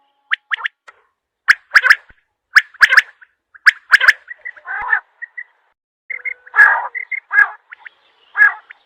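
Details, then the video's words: Quail calling: sharp clicking notes in quick pairs, then harsh, buzzy bursts mixed with short whistled pips, irregular over nine seconds, no other sounds. "Batair Ki Awaz"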